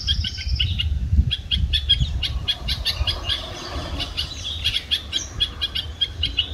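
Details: Red-vented bulbul on a palm tree on a May 2024 morning in Pune, Maharashtra, India, filmed on a phone. Busy, rapid chirps and short twittering notes come in quick runs, over low rumbling background noise.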